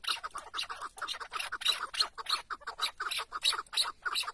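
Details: Tethered decoy chukar partridge during a partridge hunt in Şırnak, Turkey, giving a fast run of harsh, broadband chuck notes, about three per second, slightly uneven in rhythm.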